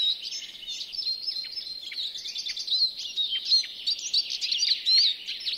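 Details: European greenfinch in a Finnish yard at Joroinen, singing a steady stream of fast chirps, trills and twittering notes, fairly loud and unbroken throughout.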